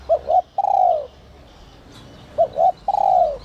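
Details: Spotted dove with a 'whistle voice' (giọng còi, 'te te') coo used to excite wild doves: two phrases, each two short clipped notes followed by a longer, slightly falling, slurred coo. Faint high chirps in the background.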